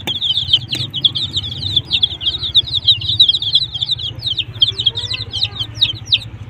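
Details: A flock of desi chicks with a hen chirps in a busy stream of shrill peeps, roughly three per second, over a continuous low hum.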